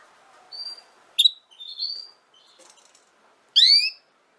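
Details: Female canary sings short high whistled notes and a sharp click, then closes with one loud upswept note rich in overtones.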